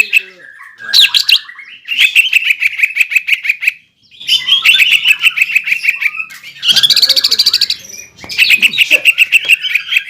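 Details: Cucak ijo, the greater green leafbird, in full gacor song with nembak and ngeroll: dense rolling bursts of sharp, chattering high notes, delivered in phrases a couple of seconds long with brief pauses between them.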